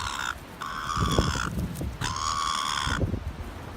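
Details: At North Shore, a seagull bullying the flock so others cannot feed utters two long, strident, even-pitched squawks with rich overtones, separated by a pause, with low rumbling noise beneath.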